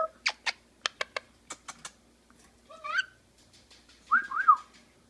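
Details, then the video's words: Pet Quaker parakeet indoors, a quick run of sharp clicking ticks followed by a short whistled phrase and then two looping warbled notes, quieter background between sounds. "Baby the Quaker talking"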